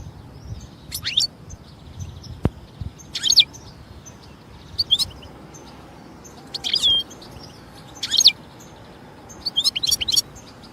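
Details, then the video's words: European goldfinch singing in nature: short, high, sharp twittering bursts every couple of seconds, with quiet background between phrases. "جمال الحسون في الطبيعة"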